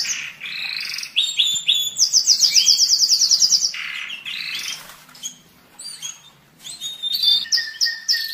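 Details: Singing canary used to excite males and prepare females for breeding during the molt and rest stage: scattered notes, then a very fast high rattling trill of about twenty pulses, followed by soft chips and clear whistles.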